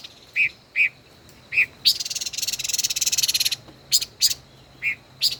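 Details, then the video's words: Five-colored bird, caged, in a song duel: short whistled notes and sharp ticks, interrupted by a dense buzzing rattle lasting under two seconds, then more spaced ticks and whistles. "Chim ngũ sắc hót đấu ,chim mồi hơn 1 năm lồng hót đấu căng đét luôn"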